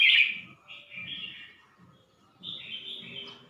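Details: At Suan Phueng in Ratchaburi, a red-whiskered bulbul gives quick chattering, warbled phrases in two bursts with a brief gap between them, over soft, repeated low thudding in the background.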